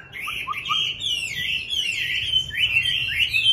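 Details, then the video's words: A caged Chinese hwamei on a fourth-floor home rooftop on a fine, cool early-winter day sings a loud, rich run of fluty, slurred whistles swooping up and down without pause, faint low hum. "Hoạ mi hót ngày mới!"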